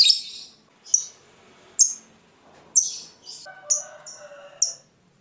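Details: Lovebird of fighter type giving a ngekek song meant to provoke rival birds into singing: sharp, high chirps repeated roughly once a second, with some lower warbled notes near the end.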